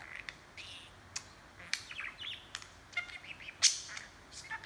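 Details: Pet budgerigar chattering, handheld recording: softer, more distant-sounding chirps and murmured warbles, occasional sharp click notes, one louder squeak near the end.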